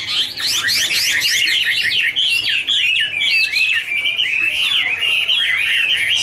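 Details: Chinese hwamei pair singing a duet while dancing and fluttering wings, starting with sharp high rising sweeps, then a flowing, looping warble of clear whistles that rise and fall.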